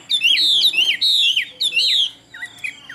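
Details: Handsome caged Chinese hwamei, advertised in Vietnam for its fine voice, sings two loud, ringing whistled phrases with looping slurs, then trails off into soft, low twittering notes.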